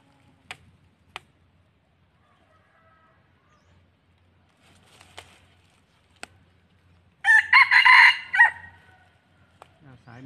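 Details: Red junglefowl, a wild-caught decoy rooster, gives one short, hoarse, rising-then-falling crow lasting just over a second; scattered sharp clicks come before it and faint voices follow.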